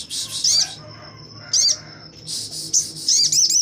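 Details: A lively Sogon, a bird kept as a tutor for magpie robins at a breeding farm, sings with wings open: short buzzy high bursts with sharp chirps, separated by pauses and a continuous thin tone.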